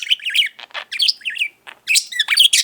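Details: Five-year-old male budgerigar kept as a pet warbles indoors in short bursts of high, wavering, squeaky notes separated by brief breathy pauses.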